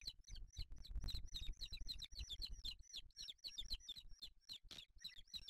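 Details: Booted eagle nest in Spain with chicks, 8 July 2023, the male delivering a small bird; a dense, continuous run of sharp, high chirps with a downward twist, over low scuffling and rustling at the nest.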